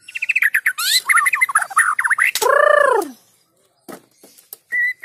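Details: White-rumped shama singing hard, played so other shamas start singing: fast stuttering trills, a loud harsh downward-arching note, then near silence broken by clicks and one flat whistle.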